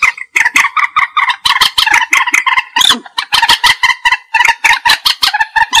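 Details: Common moorhen trapping call: continuous loud, rapid cackling, harsh nasal notes running almost without pause and repeated several times per second throughout.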